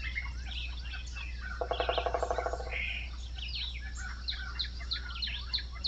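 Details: Woodpecker drumming: one rapid burst of about a dozen even, hollow knocks lasting just over a second, amid scattered chirps and twitters of other birds and a steady low rumble.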